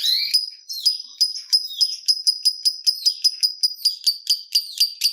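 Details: Lovebird song lure in the ngetik ticking style: a steady series of sharp, high, metallic ticks repeated about every quarter second, speeding up slightly, after opening shrill squeaks.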